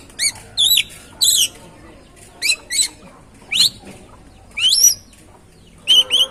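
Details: Oriental magpie-robin singing to spur another bird into song, giving high rising whistled phrases with hooked slurs, delivered in short separated bursts with quiet gaps.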